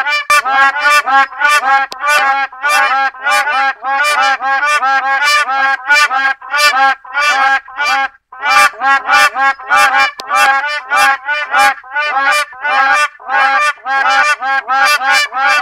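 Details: Black crowned crane giving loud, nasal honking calls in a rapid, fairly steady series of harsh bursts, pausing briefly near the middle, with no other clear sounds.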